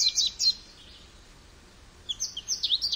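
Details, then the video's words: Goldfinch giving two short bursts of high twittering notes, a brief chattering phrase at the start and a longer tinkling run after a quiet pause. "Goldfinch Bird Sounds"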